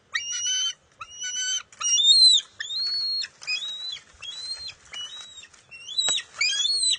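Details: Bald eaglet struggling with its mother over a fish at the nest, June 23, 2021: nearly continuous shrill, whistled squeals with sharp upward and downward slurs, delivered in rapid bursts with a brief click near the end.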